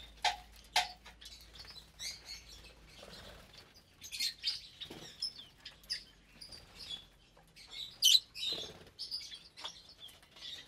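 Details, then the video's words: Caged flock of roughly 25 lovebirds, including parblue, euwing, opaline, lutino and albino birds, feeding at meal time: scattered shrill chirps and short squeaks, loudest near the end, over soft tapping and pecking. "Lovebird Meal Time"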